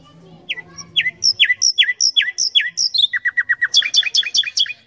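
Common nightingale song: a string of loud, down-slurred whistles, then a quick run of lower notes and a burst of high, rapid chattering. A faint low hum comes first.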